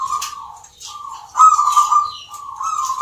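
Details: Local zebra doves singing in a rhythm contest in Yogyakarta, Indonesia. Trilled coo phrases run almost without pause, overlapping one another, with thin high chirping from other birds throughout.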